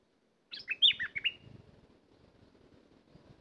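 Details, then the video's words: Bulbul singing a single quick phrase of about six bubbly, warbled notes that dip and rise, then stops; faint low background rumble continues after the phrase. "Burung merbah lekir bay hoach thom gacor bahanan"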